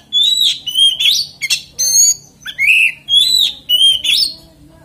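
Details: An oriental magpie-robin sings to provoke others of its kind, pouring out loud varied phrases of sweet whistles, upslurred notes and rasps, evenly paced about twice per second.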